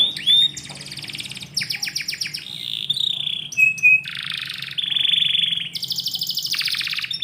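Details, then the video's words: Canary singing in the morning indoors, a string of varied rolled trills and buzzy held phrases broken by short sharp whistles, loud and continuous, faint background hum. "KICAU BURUNG KENARI - DIPAGI HARI DALAM RUMAH"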